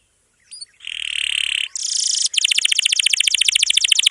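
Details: After two short whistles, a canary gives a sustained buzzy note and a dense high rattle, then a long, fast, even roll of pulsed syllables, part of full song used to tutor young or silent canaries.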